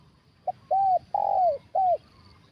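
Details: Loud 'kuk satu' phrase from a spotted dove at a trapping session with a decoy. A brief pip opens it, then an arched coo, a drawn-out downward coo, and a last shorter curved coo, with a faint high insect tone behind.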